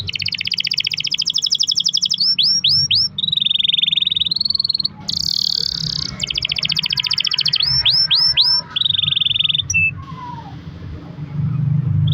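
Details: Long-roll canary song as a lure for other canaries: buzzy sustained rolls broken by sets of swooping whistles, a short pause, then more rolls and falling notes before trailing off.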